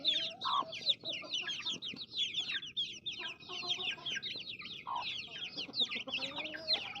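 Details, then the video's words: Many baby chicks peep together in a continuous high chorus of short sliding chirps, punctuated now and then by a lower, fuller cheep. "Baby Chicks Chirping Sounds"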